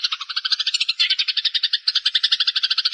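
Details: Eurasian tree sparrow song used as training material for young birds: a rapid, steady chattering trill of bright, buzzy notes, about ten per second, continuing without pause across the clip.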